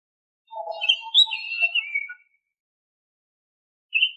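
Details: Oriental magpie-robin whistled song, played as a lure to get untrained caged birds singing. Low mellow notes lead into a burst of higher, warbling whistles lasting under two seconds, then a brief high note after a pause; quiet background.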